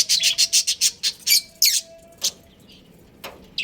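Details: Caged budgerigar breeding pair opening with a quick string of repeated high chirps, followed by a couple of harsher squawky notes and scattered single chirps with pauses between.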